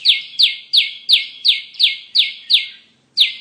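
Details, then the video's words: Bar-winged prinia sound used as a trapping lure: a series of sharp, high notes, each sweeping steeply downward, repeated about three times a second, with a short pause before the last. "Pikat Burung Ciblek"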